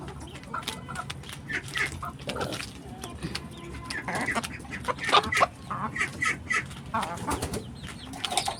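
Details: Chickens kept on a rooftop farm give busy, irregular clucks and short squawks in rapid overlapping bursts, with wing flapping and some scratchy movement noise.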